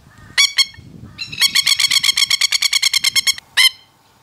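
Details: Masked lapwing in threat display gives loud, harsh, rattling alarm calls: two sharp notes, then a rapid run of about twenty strident notes, and a final pair.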